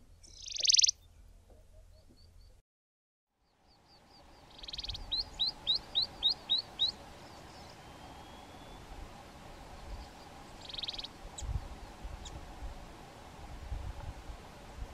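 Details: Typical calls of a Grey-backed Cisticola in fynbos shrubland, southern Africa: a harsh buzzy burst, then a quick run of about seven sharp, high chirps, then more buzzy notes over a low background hum.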